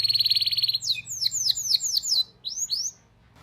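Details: Canary lure song for teaching young birds to sing: a fast rolled trill, then a run of sharp descending whistled notes repeated about four per second, ending in two more sweeps.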